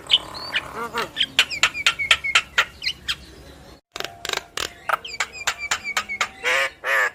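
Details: Yellow-eyed Javan myna singing hard with nodding head, a song that sets listening mynas singing too. Rapid sharp clicks and snapping notes run steadily, mixed with short whistled slurs and a few raspy bursts near the end.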